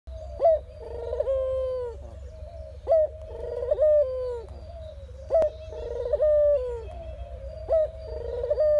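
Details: Ringneck dove giving its general cooing: a short sharp note followed by a long, even, mellow coo, the pattern repeated about every two and a half seconds over a steady low hum.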